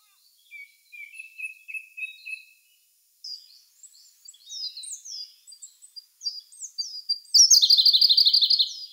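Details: Siberian blue robin, May 2021, Sony A1 camera: varied high, thin whistles and short slurred notes rising and falling, building to a loud, fast, buzzy trill at the end.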